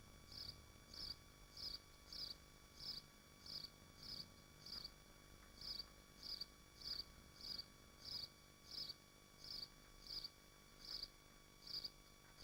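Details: Swifts at their nest in Machynlleth in the Dyfi Biosphere call in a long series of brief, shrill, high-pitched bursts, repeated about every half-second to second with steady rhythm, over a constant electrical hum.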